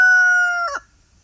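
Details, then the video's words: Pastured rooster crowing on an off-grid homestead: the tail of a loud, steady held crow note that breaks into a brief downward slur and ends, leaving near silence. "offgrid homestead free range pastured rooster chicken crowing sound effect compilation"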